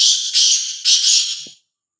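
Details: Fearless, free-roaming black francolin calling loudly: three grating, buzzy syllables joined into one rasping phrase lasting about a second and a half, ending abruptly.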